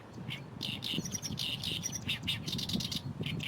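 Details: A lively Oriental reed warbler sings from a reed bed beside the runway at Fukuoka Airport, Japan: harsh, chattering syllables repeated rapidly and almost without pause, over a steady low rumble of background noise.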